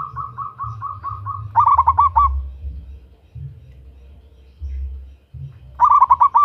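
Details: Female local zebra dove calling a male, a lure call; six evenly spaced soft coos lead into a loud rapid burst of rolling notes, then a quiet gap and another loud burst, with low rumbling underneath.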